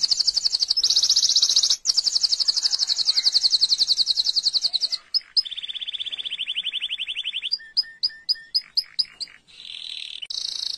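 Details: Canary song with long, loud, high rapid trills lasting several seconds, a short break, a lower rolling trill, then a series of separate sharp two-part notes and a final burst of high warbling.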